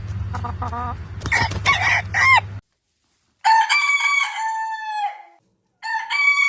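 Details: Rooster crowing in the morning: a low rumbling noise, then harsh broken calls, followed by two long harmonic crows that hold steady and fall at the end, separated by short silences.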